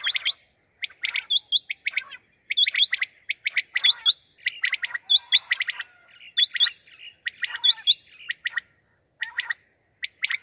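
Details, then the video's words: Quail (batair) morning call, used as a hunting sound: short, sharp, high phrases of clicky chirps and quick upward-hooked whistles, repeated about every second and a half. "batair ki mast suba ki new awaz || batair sound for hunting || quail moring sound"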